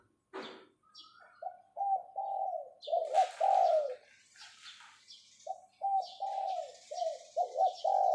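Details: Spotted dove serving as a decoy, voicing its 'pho pho' summoning coos: after a sharp opening sound, groups of throaty, wavering coos follow, split by a quiet gap, while small birds twitter faintly.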